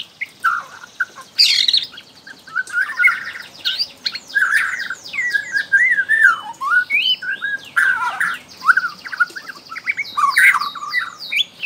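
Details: Young wild Bornean white-rumped shama, used to draw song from other shamas: dense varied chattering song of slurred whistles and rapid buzzy sweeps, loud and continuous with brief pauses.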